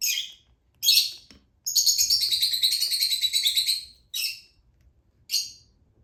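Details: Young lutino Fischer's lovebird being hand-fed, with short, harsh, high begging calls and one long two-second burst of rapid, pulsing, buzzy chatter, then two more brief squawks.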